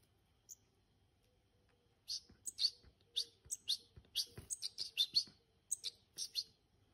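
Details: Hand-reared European goldfinches, silent for two seconds and then breaking into lively bursts of sharp, high, twittering chirps, about two a second, with faint low background hum.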